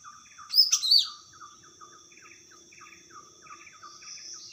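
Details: Wild greater green leafbird in lively song: a few loud, piercing whistled phrases with quick slurred inflections near the start, then quieter as a constant chatter of short descending chirps continues behind.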